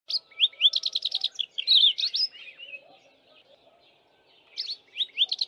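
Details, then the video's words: A Streaky-headed Seedeater sings a bright, canary-like jumble of high twittering notes with a quick repeated run, pauses briefly, then resumes, over a faint low hum. "Streaky-headed Seedeater singing"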